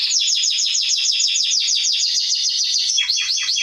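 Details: Canary singing for young birds in training, a fast series of high descending swept notes repeated rapidly and evenly, changing near the end to a few lower, deeper sweeps.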